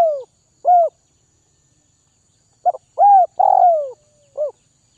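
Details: Tamed spotted dove from Northwest Vietnam calling: a falling coo and a short rounded note, a gap, then brisk double notes leading into a long descending croo and a final short coo.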